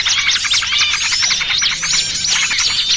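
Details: Small-bird lure mixing trucukan and 'burcil kejepit': a row of high, arched chirped notes repeated quickly over steady twittering from many birds.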